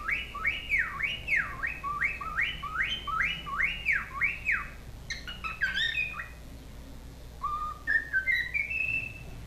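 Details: One of a pet cockatiel pair, male and female, placed to listen to a video so they learn to sing and whistle; it gives about seven quick bright up-and-down notes, sharp chirps, then rising whistles over a low hum; the male listened intently without repeating.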